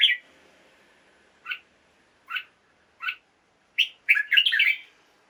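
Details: Caged red-whiskered bulbul singing in the morning, played to liven up other caged birds: four separate short chirped notes roughly a second apart, then a quick bubbling, warbled phrase.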